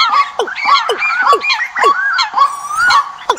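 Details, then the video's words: Decoy calls for bird migration season, a quick sequence of twangy whistled notes, some rising then dropping, in fast bursts, with a high wavering trill near the end. "Tổng hợp tiếng Chim mồi mùa Di cư"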